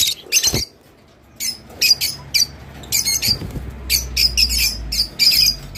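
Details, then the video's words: Rosy-faced lovebird sound played to encourage mating: short, harsh, high-pitched chattering bursts in irregular clusters, with brief squeaky notes and a pause after the opening bursts. "تغريد روز /صوت روز لسرعه التزاوج"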